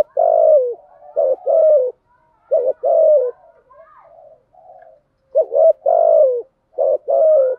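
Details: Spotted dove decoy calling, used to lure wild doves, in thúc gù and gáy gọi styles: low mellow coo phrases, each a few short notes then a long falling coo, repeated about every one and a half seconds, with softer cooing between.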